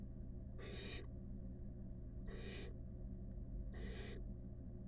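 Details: Five wild barn owl nestlings snuggling together in a monitored nest box; three harsh, breathy hisses, each about half a second long, come roughly every one and a half seconds over a steady low hum.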